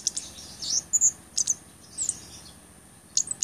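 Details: Blood-breasted flowerpecker song for training songbirds and luring birds: a rapid run of very high, thin chirps and short piercing whistles bunched into quick bursts, with a constant faint high hiss behind.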